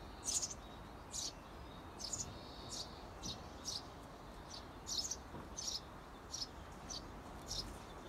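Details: Eurasian tree sparrow adults outside a nest box urging their seventeen-day-old chicks to fledge; steady run of sharp high chirps, about one and a half per second, over quiet outdoor noise.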